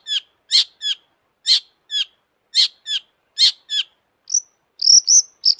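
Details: Long-tailed shrike singing hard: a steady series of sharp downward-slurred notes, about two per second, then a switch to thin high chips at the end.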